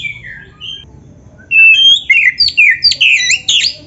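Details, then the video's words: Kacer (Oriental magpie-robin) in vigorous song used to get caged birds singing: soft opening whistles, then loud, rapid phrases of slurred whistles and sharp chirps repeated several times. "MASTERAN KACER GACOR FULL ISIAN"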